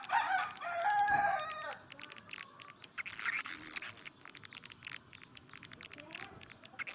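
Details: Swiftlet call played as a lure for nesting houses: a tonal, wavering note opens, then quick clicking chirps and a buzzy burst follow in uneven runs.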